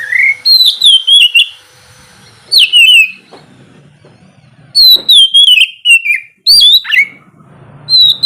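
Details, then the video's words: Oriental magpie-robin (kacer) giving morning song intended to prompt lazy birds: separated bursts of bright whistles, each a rising note followed by falling slurs, with quiet gaps of one to two seconds. "terapi pagi cocok buat mancing kacer malas bunyi supaya cepat gacor"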